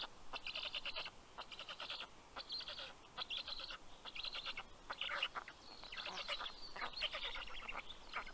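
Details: At a black stork nest in Karula National Park, Estonia, chicks greet the male bringing fish late morning, 11 June 2023: wheezy, buzzy rasps in short clustered bursts, repeated irregularly through the clip.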